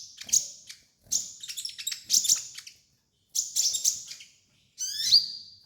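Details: Sunbird (kolibri ninja) heard in a song for training: high twittering phrases and rapid clicks, ending in a falling harmonic sweep.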